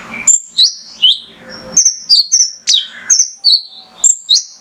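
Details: Male mangrove whistler song meant to trigger singing in other birds: spaced high whistled slurs, some falling steeply, with a few clipped sharp notes and faint background hiss between phrases.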